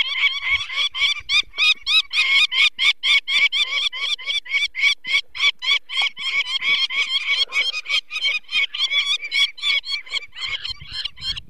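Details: Nest of peregrine falcons in Poland's Barycz Valley, 2 May 2023, where a chick with eye problems is taken by people. The adult gives a loud, unbroken chattering alarm of harsh notes, about three or four per second, throughout.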